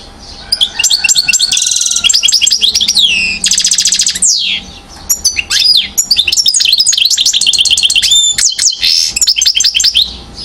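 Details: One-year-old European goldfinch from Mouzaia, Algeria, 2012, singing a sustained, rich run of fast liquid twitters, buzzy trills and rapid repeated high notes, with only brief pauses.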